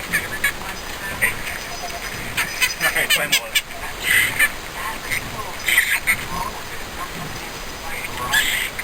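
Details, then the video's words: Green-cheeked conure kept as a pet, uttering rough, buzzy squawks in irregular clusters while its owner speaks, coaxing it to give a kiss and shake hands. "Green Cheek Conure Compilation; Parrot Talking"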